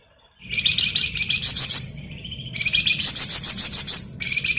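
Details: Flamboyan bird singing ngebren as masteran for other songbirds: reedy steady notes run into long strings of fast, piercing, buzzy pulses, nearly continuous across the recording.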